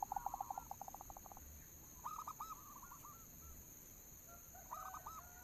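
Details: Local zebra dove song used as a lure call: a fast stuttering run of soft, low cooing notes, then a pause and a few hooked coos that rise and fall, repeated again near the end; a steady high hum runs throughout.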